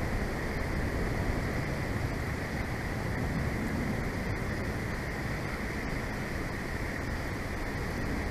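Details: Steady broadband rushing noise with low rumble and no animal calls throughout.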